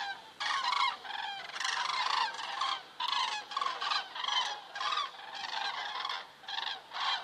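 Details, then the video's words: Common cranes flying over a crane camera site in Estonia on 27 September 2017 at 19:26; loud, rolling trumpeted calls from several birds, about a dozen harsh, harmonic-rich bursts in quick, overlapping succession. "Cranes flying over"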